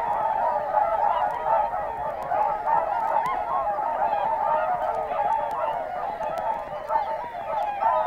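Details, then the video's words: Calling Whooper Swan flock at Matsalu, 1979 LP field recording; dense, even wall of resonant honks and bugles from many birds, repeating endlessly with slight swells in loudness. "Whooper Swan"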